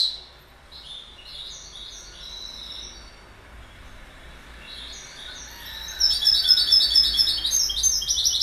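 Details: Goldfinch singing a fast, liquid twitter of high tinkling notes, softer at first and then swelling into a loud, dense jangle of trills over the last seconds.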